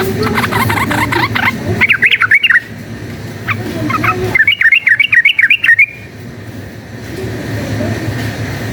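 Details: Yellow-vented bulbul fighting song, used to provoke a bird into fighting: quick zigzag warbled phrases in clusters, the clearest a fast rolling run midway, with a broad rumbling background noise before and after.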